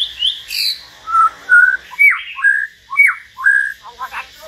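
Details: Common hill myna in a solo singing session alongside a white-rumped shama, giving loud whistled notes, some sharply dropping and some level, about two per second, ending in a short burst of rough chattering.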